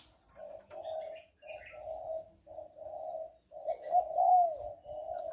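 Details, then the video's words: A Spotted Dove, presented as a female calling to stir a male (calling, urging and cooing phrases), gives a steady run of soft, low, hoarse coos, about eight in five seconds, with faint higher chirps behind. "Tiếng Cu Gáy Giọng Hạp BổI ĐỦ BÀI [ GÁY GỌI,THÚC,GÙ ]"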